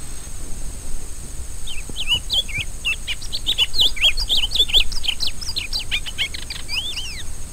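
A Rusty-collared Seedeater sings a fast, varied run of high twittering and slurred whistled notes for about six seconds, over a steady high hiss and low rumble.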